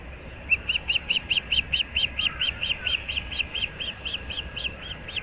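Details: Osprey of a breeding pair at a nest in Naples, Florida, just after dawn in mid-April 2024: a long rapid string of over twenty-five bright whistled chirps, roughly two per second faster, with low ambient hum.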